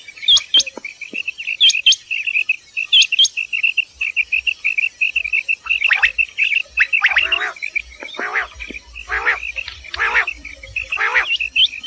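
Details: Common quail heard in the morning near Dera Ghazi Khan, Pakistan: a steady string of short, evenly spaced high notes with a few sharp upswept chirps, later broken by harsher rasping bursts.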